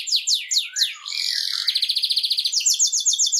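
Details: Canary song played to motivate canaries to sing and stimulate mating: a run of sweeping downslurred notes, then a dry buzzy tour, then a fast rolling trill of rapidly repeated short notes, all high-pitched and clear.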